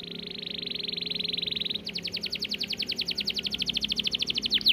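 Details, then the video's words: Canary singing a long even buzzy trill, then switching to a fast regular series of sharp descending notes ending in quick sweeping slurs. "Masteran Kenari Gacor Speed Rapat‼️Durasi panjang dan jernih"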